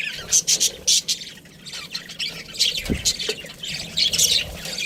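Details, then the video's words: Pet budgie chirping: sharp high chirps and scratchy chatter in uneven bursts, with a low thump midway. "cute budgie chirping sounds"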